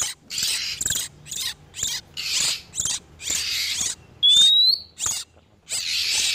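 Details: Breeding-condition male and female oriental magpie-robins, a lure for trapping wild birds: loud rasping chatter phrases separated by short gaps, with one pure upslurred whistle near the end.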